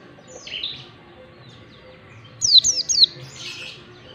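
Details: White-eye in ngalas singing style, used to train birds: a soft slurred chirp, then a short loud burst of three high, steeply descending whistles, followed by a fainter warbled note.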